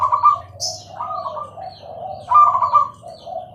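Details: Zebra dove, called perkutut, Bangkok type, in clear active song: two phrases about two seconds apart, each a higher coo dropping into a rolling lower trill, with a steady low hum behind.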